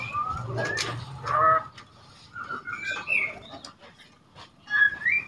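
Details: Two-month-old speckled juvenile white-rumped shama learning its song, used to provoke other shamas: scattered short slurred whistles, some rising, with brief scratchy notes and gaps between phrases, against faint background noise.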